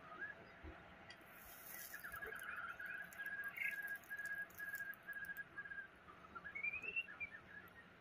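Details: Wild White-rumped Shama singing actively in Taiwan, about 3 meters off, delivering a long series of short, evenly spaced whistled notes at steady pitch, ending in a rising, slurred whistle phrase; faint high hiss in the background.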